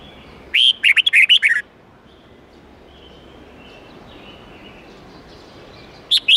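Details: Training song of the red-whiskered bulbul, forest-style with 8 to 10 notes, for young birds to copy: one lively burst of quick warbled whistles, a long quiet pause, then a new phrase starting.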